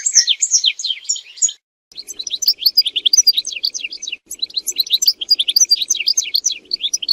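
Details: A European goldfinch sings, in a recording for mating and for teaching goldfinches to sing. Continuous rapid, high, tinkling twitters of sliding notes, with one short pause near the start.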